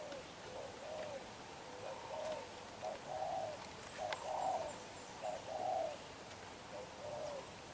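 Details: Spotted dove, a young black-eyed bird, cooing hard: a series of low, throaty coo phrases of about three notes, rising in loudness mid-sequence, with faint high chirps from other birds behind.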